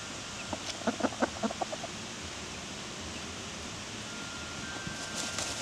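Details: Hens dust bathing alongside a mother hen's chicks, recorded on August 3, 2021; a quick run of about eight soft clucks in under a second, then quiet with faint background hiss.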